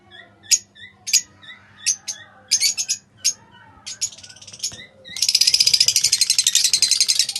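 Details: Pale fallow lovebirds kept as pets: scattered short high chirps and squeaks at first, then from about five seconds a dense, continuous rapid chatter of pulsed high notes.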